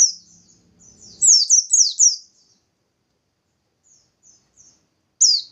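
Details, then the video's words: Bustomi white-eye singing energetically as a lure that prompts other white-eyes to sing. A soft high twitter gives way to a burst of five bright falling notes. Scattered faint chips and one final loud note follow, with a low murmur at first. "Burung Pleci Bustomi Gacor || Pancingan Pleci Biar Cepat Nembak"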